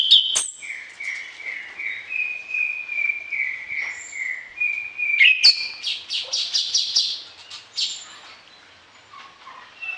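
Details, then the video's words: Orange-headed thrush singing steadily with varied content, used as a tutor song for other birds at morning and evening; a run of about ten similar whistled notes, then a fast stuttering burst of high notes and softer warbles. "ANIS KEMBANG GACOR DOOOR, VARIASI ISIAN"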